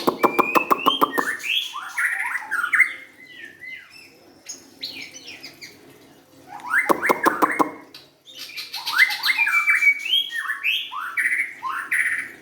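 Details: White-rumped shama in full song. Fast trains of dry, rattling clicks alternate with bright, rising and falling whistled phrases, with pauses between bursts of song.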